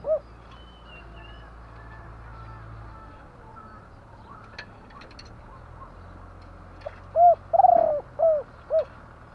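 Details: Spotted dove cooing: after several quiet seconds of low background hum, a burst of short, hollow coo notes close together, with one longer, slightly falling coo in the middle.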